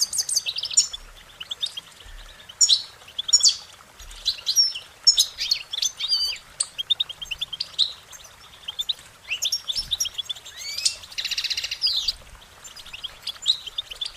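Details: Goldfinches singing a long, busy series of short warbling notes and high chirps, with rapid trills and a harsh buzzy passage toward the end.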